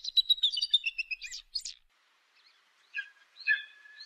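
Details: High chattering piping from an eagle, a fast descending series of squeaky notes, then a pause and a few lower, clipped whistled notes.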